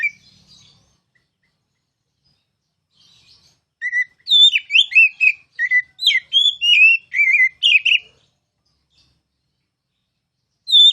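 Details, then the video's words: Kacer (oriental magpie-robin) ngeplong tutor song: after a near-silent opening, a dense four-second outburst of fast, varied whistles and chirps. Quiet follows, then a final whistle at the end. "KICAU MASTERAN KACER CALON JUARA!!!"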